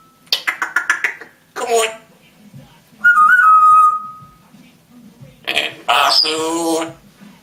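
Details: Pet African grey parrot talking indoors; rapid clicking bursts, speech-like syllables, a long level whistle, then more voice-like chatter.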